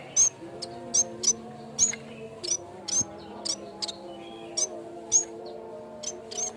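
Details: Yellow-bellied warbler (cikrak bambu) sounds used as a lure and for training other birds: very high, thin, sharp chips in short bursts, irregularly spaced about once or twice a second, over steady low sustained tones.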